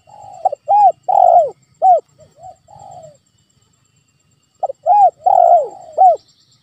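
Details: Spotted dove coos played as a lure to make a silent pet dove answer: a run of mellow arched coos ending in a trailing note, then a silent gap and a second similar phrase.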